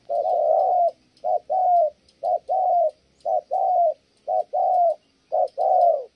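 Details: A spotted dove coos in pairs, a clipped note followed by a drawn-out falling hoot, repeated roughly each second; a female interrupts the cooing.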